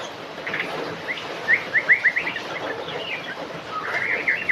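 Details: White-rumped shama singing: a run of quick slurred whistled notes repeated in a rapid rhythmic series, followed by a more varied warbling phrase, over steady background noise.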